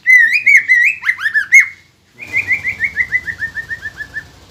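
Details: Green leafbird (cucak ijo) singing to provoke other birds: a few loud whistled phrases and slurred notes, silence, then a steady series of about fifteen quick repeated whistles at a level pitch over faint background noise.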